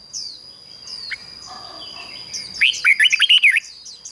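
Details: Red-whiskered bulbul decoy singing to call wild birds and spur them to sing: after soft high chirps, a loud burst of about seven quick, rich warbled notes. A thin steady high whine continues underneath.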